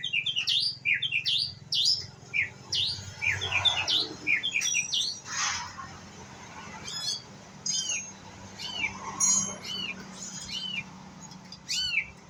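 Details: White-rumped shama, a young bird learning to sing, giving jumbled bursts of short slurred and rising notes in quick groups, then a few looser, more spaced downward-curving whistles, with a soft rushing sound in the middle.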